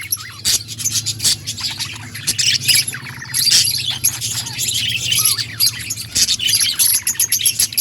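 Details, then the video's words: Budgerigars chattering continuously, high scratchy warbles mixed with short rising whistled notes and clicks, over a faint low steady hum. "Budgies birds sounds parakeet chirping sounds"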